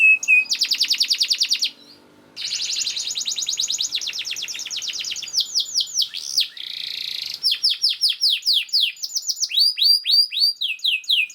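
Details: Fast, dense canary song played as training material for other canaries: rapid high buzzy trills, a brief pause, a long rattling trill, then quick downward-sweeping whistled notes repeated several times a second.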